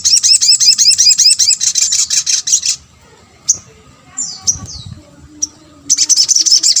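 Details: Sunbird (sogon) call used to stir other sunbirds into answering; a long burst of quick, high, twittering notes, then a quiet gap with a few thin, falling chips, followed by another rapid chattering burst.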